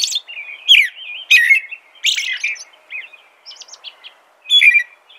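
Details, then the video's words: American robin delivering whistled slurred phrases followed by softer twittering and a brief pause, then another bright whistle; quiet hiss underneath. "American Robin Song.(Turdus migratorius)."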